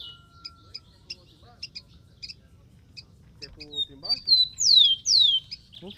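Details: A rufous-collared sparrow singing in the wild, with high ticking notes followed by two strong downward-slurred whistles; brief low murmuring voices sound midway.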